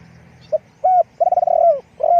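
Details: Spotted dove kept as a decoy for luring wild doves: a brief note, a hooked coo, a long trilled, rolling coo that ends with a downward slur, then another falling coo.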